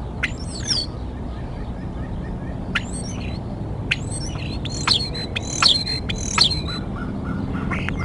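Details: Bald eagle calling at its Decorah nest in the early morning of 23 February 2021. A series of high, thin, whistled chirps with sharp downward sweeps comes in loose groups, clustering faster in the middle, over a low steady rumble.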